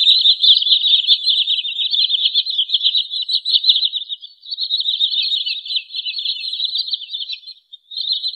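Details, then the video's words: Wood sandpiper lure call used for trapping birds: a dense, continuous stream of high, rapidly repeated chirping notes, about 150 per minute, with a short dip in volume midway and no other sounds. "SUARA BURUNG TRINIL SAWAH COCOK UNTUK MIKAT atau PIKAT"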